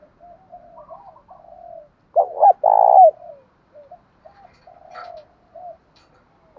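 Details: Spotted dove coos, male and female, played to prompt captive birds to answer: quiet soft cooing, then a loud emphatic phrase of quick notes and one long throaty coo, then soft low coos again.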